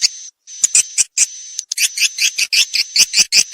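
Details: Edible-nest swiftlet calling sound used by swiftlet farmers to draw birds into nesting houses: rapid bursts of high, buzzy chirps over a thin steady whistle-like tone, with short gaps between clusters.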